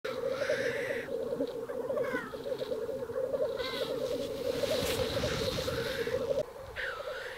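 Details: Male Black grouse fighting at a lek in northern Sweden in April 2021 bubble continuously in a low, dove-like rolling chorus, broken by occasional harsh hissing sneezes and brief higher notes.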